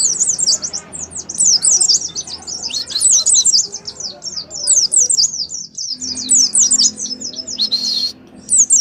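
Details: Oriental white-eye giving extended 'ngalas' song, a lure for caged birds: dense, very high chattering twitter of quick slurred notes, nearly unbroken, with one brief gap and a short harsh burst near the end.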